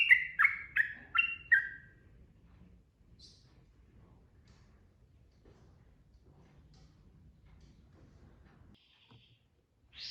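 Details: Sooty-headed bulbul singing in the rapid ropel style, used as tutor audio to spur other birds to sing: four bubbly mid-pitched notes in quick succession open the clip, then only faint background hiss and a final short note.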